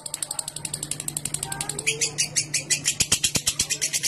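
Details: Lovebird ngekek chatter used as a lure for long singing: fast, high, scratchy notes repeat steadily, quieter at first and then louder and harsher after two seconds, over a low steady hum.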